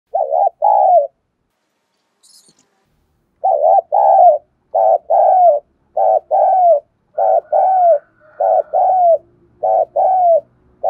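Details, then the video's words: Spotted dove used as a decoy to provoke and train new birds, cooing in repeated soft, low, hooting phrases of two to three notes, the phrases coming in quick succession after a brief pause. "Tiếng chim cu gáy kích bổi nhanh nổi, cu gáy mồi luyện bổi mới và hay"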